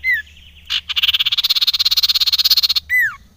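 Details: Common iora calling as a lure to rouse other ioras. A short falling whistle leads into a dry, buzzy rattle of about twenty-five rapid pulses lasting nearly two seconds, then a clear downward-curving whistle.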